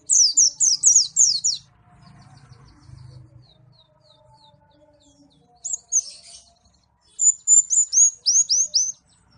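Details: White-eye (pleci) from Malang singing: quick bursts of high, sharply falling whistled notes in a rapid run, a pause with faint low background noise, then a short chatter and another run of steeply descending notes.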